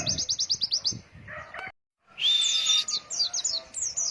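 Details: White-eye song from a training recording for young birds, in the long-breath 'ngalas wit wit' style: a rapid run of high, downslurred chirps, then a brief lower buzzy phrase, a short silence, and a bright warbled burst with more slurred notes.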